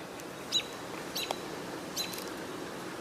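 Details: American robins giving an alert call, three brief, thin, high notes spaced roughly a second apart, over a faint outdoor hiss on a campus lawn, 21 June 2022.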